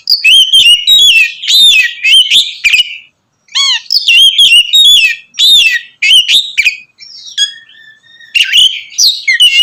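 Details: Oriental magpie-robin in loud song used to provoke rival magpie-robins; quick bursts of whistles and chatter, a pause, then thin held whistles before the rapid singing resumes.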